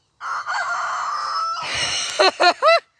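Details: Young black rooster, raised from a chick, giving an odd failed crow likened to a bad five-chime train whistle: a long steady harmonic whistle-like tone, turning harsh and rough, then ending in three short rising-falling notes.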